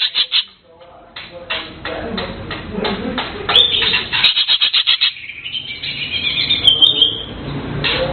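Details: Blue cucak keling chirping in quick uneven series of sharp notes, followed by a higher warbled phrase and renewed rapid chirps, with some wing-flap-like noise.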